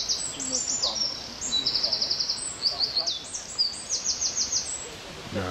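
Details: Eurasian wren song on a nature walk in park Oudegein, Nieuwegein, June 2020: a loud, very high outpouring of rapid trills and clipped chattering notes tumbling one after another, with a faint voice at the end.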